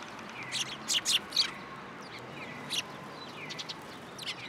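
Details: Sparrows visiting a post for food at a Tenmangu shrine, 7 January 2023; a short group of rapid chirps early on, then softer, sparser chirps and faint calls from other birds.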